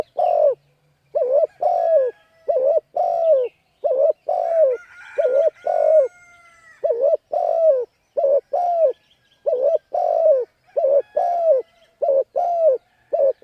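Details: Decoy spotted dove cooing insistently to draw in wild birds. Rapid, almost continuous pairs of low hooted notes, short then longer and falling. A few thin, drawn-out whistled tones cross the middle of the sequence.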